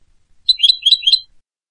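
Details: European goldfinch giving a short burst of about four quick liquid twittering notes, bright and tinkling, in otherwise clean silence.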